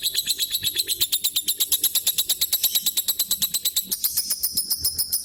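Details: Pet lovebird nearly nine years old giving its everyday calls: a fast, steady train of shrill, high chirps, about three each second, running without pause.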